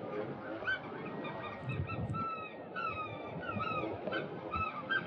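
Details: Several Eurasian oystercatchers (Haematopus ostralegus) pipe loudly and shrilly together in a continuous excited chorus of overlapping, sharp falling calls over wind rumble. They are group-displaying to win a partner, and some competitors fight: an older bird bites a younger, white-throat-lined bird's wing and chases it away.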